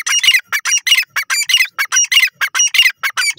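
A francolin gives loud, harsh, grating notes in quick bursts, several each second, run together into a rough, rhythmic chatter with no other sounds behind it.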